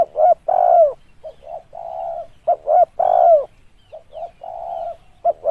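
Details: Dove luring call of a spotted dove: short staccato coos alternating with long mellow coos that fall in pitch, repeated steadily, with a plain, even-toned coo between phrases.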